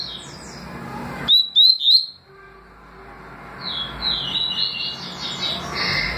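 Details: Double-collared seedeater in tui tui and deputado song styles: three loud rising whistled slurs in quick succession, then a quieter stretch of fast, high twittering notes continuing to the end.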